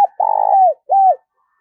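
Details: Spotted dove decoy calling to draw in wild birds: a long, slightly throbbing coo that slides down at the end, followed by a shorter arched coo.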